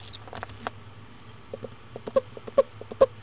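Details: Barred owlet in Florida, hatched about 6am on 19 February 2015, eagerly taking its second meal at 10am: quick series of brief squeaky peeps, growing louder toward the end, with faint rustling and a low background hum.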